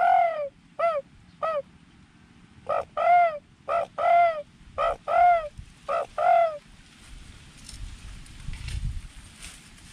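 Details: Spotted dove calling in the wild near a drinking spot by a mung bean field: a long run of about ten short, falling coo notes, some paired, before fading into rustling and faint background noise.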